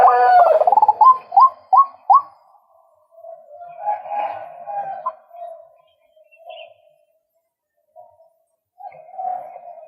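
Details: Male White-breasted Waterhen opens with a loud harsh note and five quick rising whistled notes, then shifts to softer drawn-out croaking phrases with silences between.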